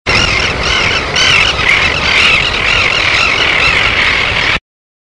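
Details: A flock of common terns: a dense chorus of harsh, grating calls, many birds overlapping without a break, over a low rumble of wind.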